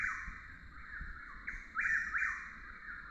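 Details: A Chuck-will's-widow, often confused with a Whip-poor-will, delivers tight, continuous whistled phrases, with one stronger accented phrase near the end, against a constant high hum.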